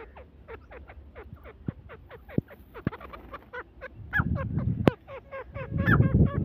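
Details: Grey francolin (teetar) giving a rapid run of short, downward-slurred calls, about three per second, harsh and ringing, growing louder and busier toward the end with low rumbling noise underneath.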